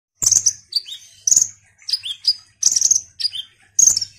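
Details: Ruby-cheeked sunbird (konin) singing vigorously, used as a lure to stir other sunbirds: short, very high, thin chirps and downslurred whistles in quick bursts of two to four notes, separated by brief pauses, with no other sounds.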